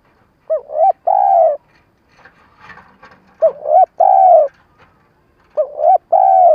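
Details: Trapping lure spotted dove repeating its stuttered call three times, each a double-humped coo followed by a long rounded coo, with faint rustling between the first and second phrases.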